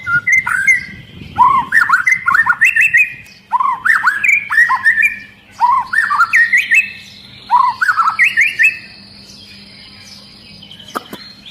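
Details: Agitated long-tailed white-rumped shama in full song, stirring other shamas to sing; dense series of rich, looping whistled phrases repeated in quick bursts, then a steady thin tone in the background.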